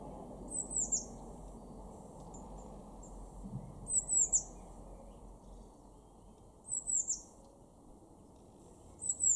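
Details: In a garden in Weener, East Frisia, northwest Germany, in March 2024, a blue tit gives very high, thin notes in short clusters of three or four, repeating about every three seconds over a steady low rumble.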